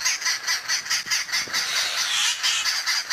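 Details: A group of Arrow-marked Babblers mobs a boomslang snake in a tree by day in January, giving harsh, raucous churring chatter in bursts about twice a second, joined by drongos, bushshrikes and starlings alarm calling.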